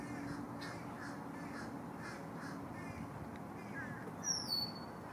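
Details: At a nest at Lake Hollingsworth, Lakeland, Florida, three Green Heron chicks fighting for food at their parents' beaks give rough, rasping begging calls about twice a second, with one sharp high squeal near the end.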